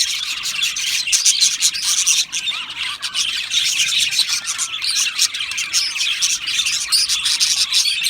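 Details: Aviary colony of Australian budgerigars, a busy, bright chorus of chirps, squawky notes and warbles overlapping continuously with only brief dips in loudness.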